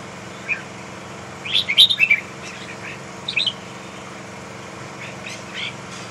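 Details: ['Red-whiskered bulbul, a large bird of the Huë type, delivers a quick jumbled phrase of sharp bright whistles, then a shorter chirpy flourish about a second later. Faint notes trail off, and a steady hum sits in the background.']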